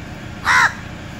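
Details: A single loud, harsh, raspy caw from a crow, short and flat, over faint low background rumble.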